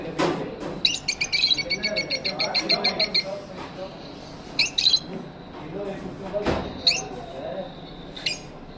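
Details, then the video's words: Pet lovebirds in an aviary chirping: bursts of rapid, high, buzzy chatter at the start, then scattered sharp chirps and short squeaky notes, with a few clicks and knocks in the room. "Lovebird Singing & Chirping Sounds"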